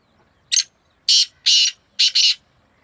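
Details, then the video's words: Black francolin calling against a rival bird on 2 May 2024: a full harsh phrase, one short note, two drawn-out grating notes and a quick paired ending, evenly loud with little background sound. "2 شیدھی کالے تیتر آوازوں کا سخت مقابلہ"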